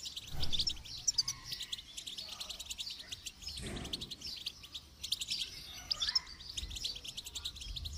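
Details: Goldfinch song during training: dense, buzzy, high twittering with rapid chirps and trills throughout, and occasional low thuds and rumbles underneath.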